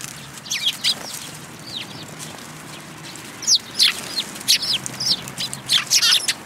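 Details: Eurasian tree sparrows at a Tenmangū shrine, 10 February 2022, flocking in to be fed: a few soft chirps give way to a lively, dense string of loud, high, clipped chirps in the last three seconds.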